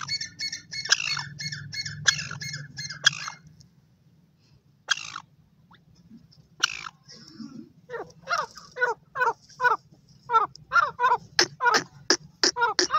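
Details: Female grey francolin (teetar) accompanied by chicks: a scratchy chatter of stacked notes opens, then after a pause comes a long run of harsh, clipped notes that quickens toward the end, with a low background hum.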